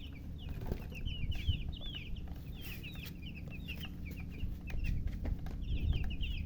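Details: Freshly hatched chicks piping loudly together: dense overlapping high peeps sweeping up then down, several birds calling in quick succession with short pauses, steady low rumble underneath.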